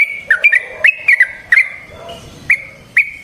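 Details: Yellow-vented bulbul, calling in a recording meant as a lure for trapping. Scattered short, clear whistled notes with sharp upward inflections come in small clusters, then two isolated chips.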